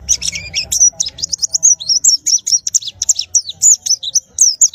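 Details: Caged white-eye pours out a continuous stream of very high, quick, slurred whistles and chirps, evenly packed with tiny gaps throughout.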